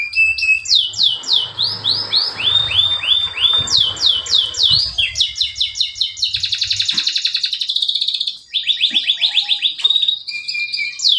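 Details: Male canary song meant to stimulate canaries that stopped singing: varied trills of sharply upswept notes, a dense buzzy roll, and quick chirp series, with soft background noise early on.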